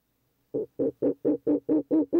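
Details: Male Ural Owl calling at a nest box entrance at night, 11 July 2023, around 20:32. Eight short, low, hollow hoots come in a quick, evenly spaced run, roughly four per second, each growing slightly louder.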